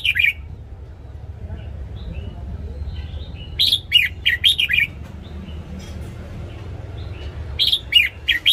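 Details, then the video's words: Morning song from a caged red-whiskered bulbul, used to train birds: a brief opening note, then two clusters of five or six quick bright warbled notes several seconds apart, with steady low background noise. "Luyện giọng chào mào hót sáng"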